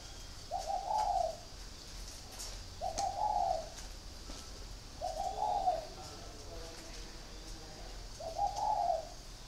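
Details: Spotted dove in a cage repeating its soft cooing song four times, phrases roughly every two and a half seconds, each a short burred coo rising slightly and then trailing off, over a low steady background hum.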